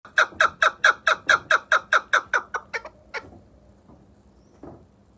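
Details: Chukar partridge from Vanj calling: a rapid run of about thirteen sharp, clucking chuk notes, loud at first, then fading and slowing before falling quiet, with one last isolated note near the end.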